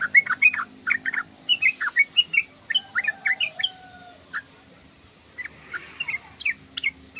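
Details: Yellow-vented bulbul chattering loudly, with bursts of quick, clear, slurred chirps in rapid groups, a brief lull midway, then more scattered bright notes.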